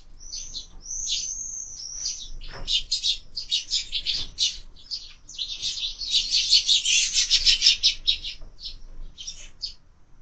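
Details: At a window feeder stocked year-round, quarrelling sparrows start with a few drawn-out high chirps, then break into an intense, rapid chatter of overlapping chirps that fades near the end.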